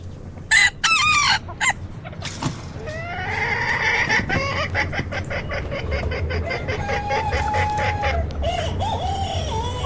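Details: A mixed flock of chickens of various kinds, with clucks and harmonic crowing-like calls overlapping after a few seconds over a steady low rumble.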